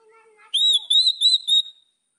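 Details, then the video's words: White-rumped shama song meant to provoke rivals: after faint low murmurs, a loud clear whistled phrase near a steady high pitch, broken into four short bursts over about a second. "MASTERAN MURAI BATU. AMPUH PANCING EMOSI LAWAN"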